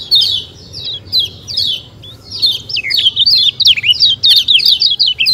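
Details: White-eye known as kecial kuning singing in 'ciak ciak' style in nature: slow downslurred chirps that speed up into a quick, dense twitter of looping high notes, about two per second and faster, over steady low background noise.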